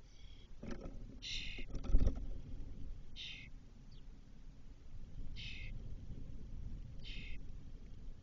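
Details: At a Doñana nest box in a cork oak, May 2023, the eldest Spotless starling fledgling returns four hours after its first flight. Five scratchy, hissing bursts come at irregular gaps, with thuds and low knocking early on.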